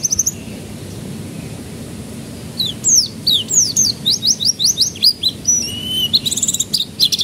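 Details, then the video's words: Canary song meant to prompt juvenile canaries to begin singing: after a quiet start, a fast series of repeated high descending whistles, then mixed trills and rising notes to the end. "Pancingan Kenari Paud Agar Cepat Pecah Suaranya"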